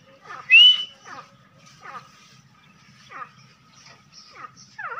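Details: A partridge, possibly an Irani teetar, gives a sharp rising whistle, then a run of shorter, falling notes repeated roughly every second, over a soft low hum.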